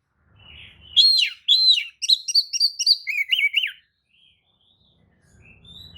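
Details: Oriental magpie-robin lure song for baiting rivals into replying: after a faint rumble, a loud series of slurred whistles and clipped notes ending in a wavering phrase, then near quiet and background noise.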